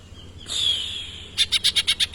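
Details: Greater green leafbird singing with tengkek imitations: a sustained high whistled note, then a fast series of about seven sharp repeated high chips.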